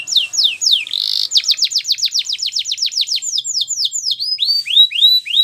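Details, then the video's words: Russian canary singing: fast series of downward-sweeping whistled notes, a brief buzzy trill near one second, then quicker repeated sweeps and slower slurred phrases at the end. "Russian Canary Singing !! Canary Bird Song"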